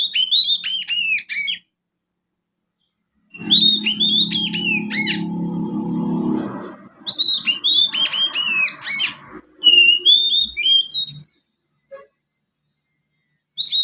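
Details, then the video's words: Oriental magpie-robin youngster in ngriwik practice, imitating sparrow song: repeated bursts of fast, harsh, chirping downslurs, several runs a few seconds apart, with a low rumbling background during one run and a few clear whistles. "Kacer Muda ngriwik Isian burung gereja."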